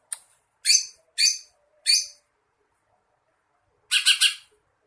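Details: Greater green leafbird training song (masteran) with sparrow, lovebird and kingfisher imitations as fillers. A brief high note, then three harsh, scratchy downslurred notes, a pause of about two seconds, then a short burst of buzzy chatter.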